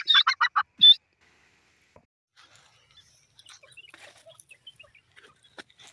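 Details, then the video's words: Grey francolin calling in the morning: a loud, harsh burst of four or five rapid grating notes ending on a higher ringing note, followed by faint scattered twittering of other birds in the background. "teetar awaaz morning"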